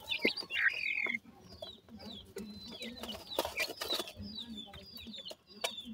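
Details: Grey francolin chicks calling, one longer steady whistled peep then a series of short falling chirps, among broadband rustling and clicks.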